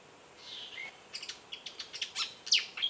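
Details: A Malaysian pied fantail perched at a waterhole in Kaeng Krachan National Park, Thailand, sings two thin slurred whistles, then a quick run of sharp, squeaky high chips over about two seconds, against faint background hiss.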